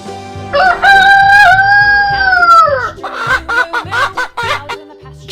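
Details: Chicken named in a children's farm-animal lesson: a long, drawn-out crow rising then falling over about two and a half seconds, followed by short rhythmic clucking bursts, all over steady background music.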